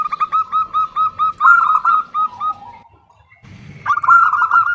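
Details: Calling for a male, a female zebra dove gives evenly spaced clipped coos that run into a rolling phrase and drop lower, then a pause with a rustle before another rolling burst.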